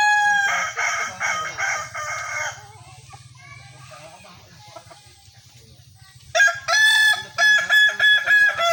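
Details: Kukuak balenggek roosters at a crowing contest: a loud harmonic crow broken into stepped segments, fading to a quieter stretch with a low hum, then a second bright, multi-syllable crow bursting in near the end.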